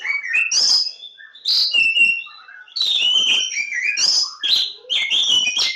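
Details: Loud, varied song of a Javan Oriental magpie-robin (kacer Jawa): quick phrases of sweet, high whistles and slurred notes mixed with rasping chatter, about one phrase every second or two, with brief dips between them.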